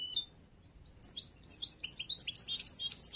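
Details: A new young yellow-brown European goldfinch, hatched this year and still being trained for competitions, sings a quick, tinkling jumble of high twittering notes and liquid trills, sparse at first and then tumbling along rapidly.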